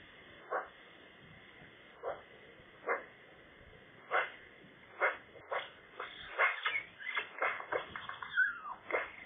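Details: Eurasian magpie at its nest on a sunny, slightly chilly day, amid rivals challenging for nest ownership; scattered harsh chattering notes, sparse at first and then thickening into a rapid run of short rasping bursts near the end.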